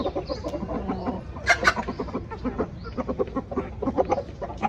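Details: Chickens clucking: a steady stream of short, low, broken clucks with a few louder, sharper notes standing out near the middle, over a constant murmur of background noise.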